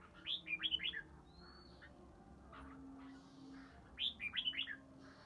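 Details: Red-whiskered bulbul of Ba Tơ, kept three seasons, delivering ché song at the start of spring: two matching fast warbled whistle phrases about four seconds apart, a drawn-out thin whistle between, low hum throughout.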